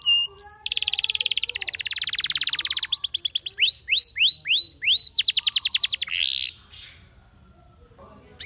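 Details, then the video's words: Spanish Timbrado canary in full song: a long rattling trill, then rising upslurred notes, a quick burst of rapid clicks and a buzzy flourish before fading to quiet. "Spectacular Spanish Timbrado Canary, This Canary Invites All Birds to Sing"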